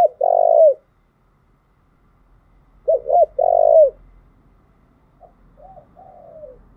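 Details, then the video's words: A spotted dove song played to excite decoy birds in training. A loud drawn-out coo is followed by a pause, then a double-hooked note and another long coo, ending in soft descending trailing notes. "tiếng cu gáy thúc bổi căng lửa và gáy goi bao sung, Tiếng cu gáy mồi chuẩn"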